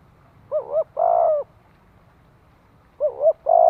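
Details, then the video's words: Spotted dove cooing to train newly caught birds and stimulate decoy birds: low two-part coos, a wavering double note followed by a longer steady hollow coo, repeated after a pause of about two seconds. "Tiếng chim cu gáy tập bổi - kích mồi căng lửa hiệu quả."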